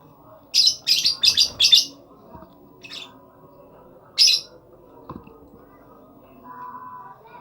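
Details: Rapid run of five harsh, high-pitched lovebird squawks in under two seconds, a softer note after, then one more loud shrill squawk; faint clicks and a low hum in the background.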